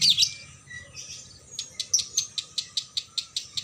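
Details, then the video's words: Long continuous konslet song of a female lovebird hung in a cage at a bird shop: a harsh squeal, softer twittering, then a run of sharp, evenly spaced high clicks about five per second. "Lovbird konslet"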